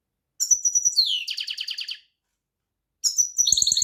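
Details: Lively European goldfinch phrase: high liquid twitters running into a long harsh buzzing trill. After a short silence a new bright twittering burst begins, with faint low clicks.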